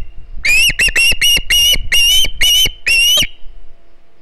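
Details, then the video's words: Juvenile osprey at a nest on Hog Island, filmed 9 September 2019 by a live nest camera, begging loudly for fish; a series of eight shrill, piercing whistled notes, each slightly rising, given in quick succession, then quiet. "Another fish for noisy Halley!"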